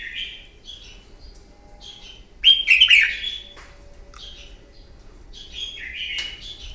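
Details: Red-whiskered bulbul fighting song recorded in the morning from a wild-caught bird, used to excite and train others. Short warbled snippets surround one loud, rich, bubbling phrase, ending with another downslurred warble.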